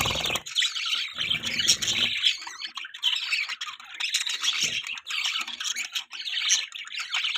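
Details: Budgerigar mating sounds: dense, scratchy warbling chatter of chirps and squawks running almost without pause, with a short low rumble at the start and another early on.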